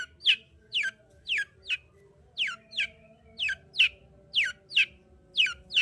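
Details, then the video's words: Long-tailed shrike song aimed at provoking a silent shrike: clear downward-sweeping whistled notes, often in pairs, repeated steadily about twice a second, over a low hum. "Pancingan Cendet Gacor Untuk Menaikkan Emosi Cendet Malas Bunyi"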